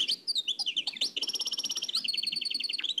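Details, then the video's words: Old cassette recording of a nightingale from Oued El Alleug: quick varied chirps give way to a long, fast, evenly pulsed trill of high notes. "تغريد واد العلايق نقلته عن كاسيت قديم بصحتكم خاوتي معمر روسينيول"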